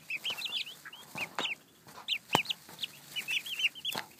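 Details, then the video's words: Baby turkey poults peeping in a group: many thin, high, arched peeps, some rising and some falling, given in quick clusters with short quiet gaps, and several sharp knocks or taps. "Poults say hello."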